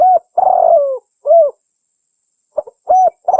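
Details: Spotted dove calling, recorded for luring wild doves and training caged birds: a rounded coo, a long buzzy descending coo, an arched coo, then after a pause soft clicks and another phrase beginning, clean and quiet.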